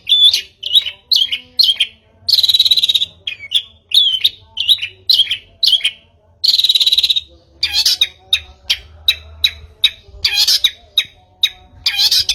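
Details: Long-tailed shrike lure sound meant to spark singing: a long varied series of sharp chattering notes mixed with occasional loud harsh buzzy bursts, delivered in an irregular, energetic rhythm.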